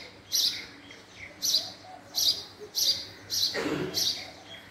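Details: House sparrow (Passer domesticus), call.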